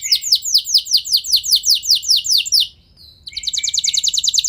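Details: Canary song used to excite other canaries into singing long rolls; a chain of loud descending whistled notes, a thin short whistle after a pause, then a fast pulsing trill.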